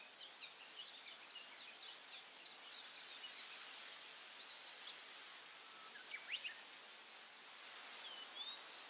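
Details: Forest birds in the morning: a quick series of thin, high downslurred chirps over the first three seconds, then a few scattered sharp whistles and one rising whistle near the end, over a steady soft hiss.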